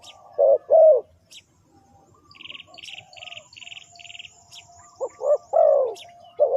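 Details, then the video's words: Spotted dove cooing as a trapping lure: hoarse low coos open and close the stretch, while a small bird gives a run of buzzy high chirps in the quiet middle. "Chim cu gáy chiêu kích mồi tập bổi nhanh nổi hiệu quả"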